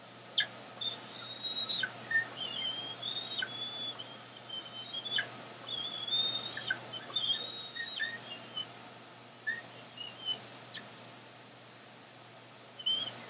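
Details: Bald eagle eaglets close to fledging on a branch by the nest, 14 April 2022, with fish deliveries from an adult: strings of thin high whistles with brief downward flicks, fading toward the end amid steady hiss.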